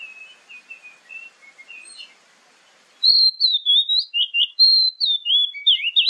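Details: Oriental magpie-robin (kacer) song used as a lure, morning and evening: soft, distant whistled notes over hiss, then a sudden loud sequence of bright sliding whistles and quick twittering notes.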